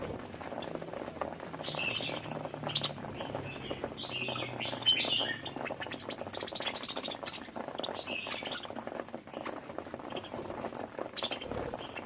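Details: Pet budgerigars, described as happy, chirping: scattered short warbled and buzzy notes in the upper range, with a steady low hum and clicking, rustling background throughout.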